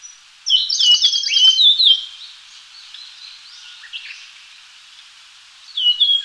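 Japanese grosbeak giving a quick run of bright, clear whistled notes for about a second and a half, then a brief whistled phrase near the end.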